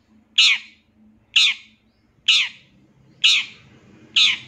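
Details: Long-tailed shrike in a training recording for captive birds, with rich fill-in phrases. It gives a steady run of five grating, scratchy squawks roughly one per second, each burst fading fast. A low background hum is present.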